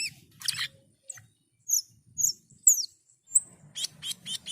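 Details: Asian pied starling in full song: scratchy bursts followed by scattered high thin whistles and downslurred squeals, ending in a short run of buzzy repeated notes.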